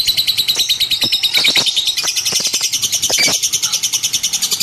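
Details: High, rapid twittering from a lovebird, pulsing roughly three times per second, broken by a few clicking notes and a short squeak.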